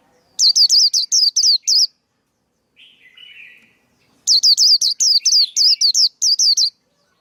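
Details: Male white-eye song for training chicks and trapping: two bursts of rapid, high, swooping whistled notes, the second longer at about eleven notes, with a low buzzy rattle between them.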